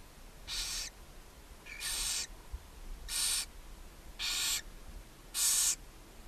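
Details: Nest-cam recording from Ságvár, Hungary, May 4, 2024: a mother barn owl feeding her seven owlets in a nest box on a chimney. Five harsh, noisy hisses come about once a second, each short and steady, over quiet background.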